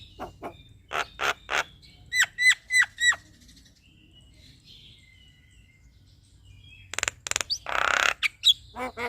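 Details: Male black-winged myna singing to provoke another myna: a few sharp notes, then four clear whistled calls, a quiet pause, and a burst of harsh rattling and grating noise with short rising squeaks.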